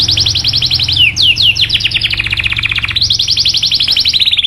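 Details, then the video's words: Canary song for stimulating other canaries to sing long rolls: dense rapid trill of repeated falling sweeps, a brief pause, then another fast rolling trill over a faint low hum. "PANCINGAN JITU SUARA BURUNG KENARI CUIT CUIT MANGGIL LAWAN MERANGSANG KENARI LAIN KEMBALI AKTIF"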